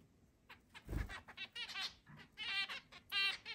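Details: Zebra finches in a large indoor cage, eight birds, 10 July 2022: rapid nasal, trumpet-like beeps and buzzy honks, several per second, in overlapping bursts, with one dull thump near the start.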